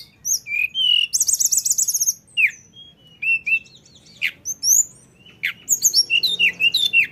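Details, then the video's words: Rolling ngeroll song of a lesser shortwing, tledekan gunung: a fast buzzy high trill, then scattered thin whistles, sharp upward flicks and short slurred notes separated by brief pauses. "dengar tledekan ngeroll ini"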